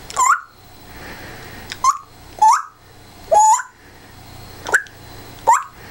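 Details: African grey parrot kept as a pet, squawking playfully: six sharp upward-swept cries spaced roughly one second apart, some with a longer level tail, over a low indoor hum.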